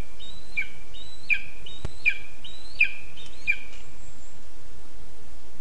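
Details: Lesser spotted eagle chick demanding food at its nest in a spruce, Zemgale, Latvia, 20 August 2024. It gives thin, high, sharply falling squeals about every 0.7 seconds, five in a row, over a steady rustling background.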